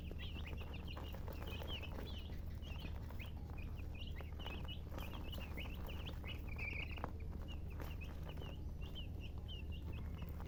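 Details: Colored chickens (murgi) chirping: a steady stream of short, high, quick chirps and peeps, often several in rapid bursts, continuing throughout over a constant low hum.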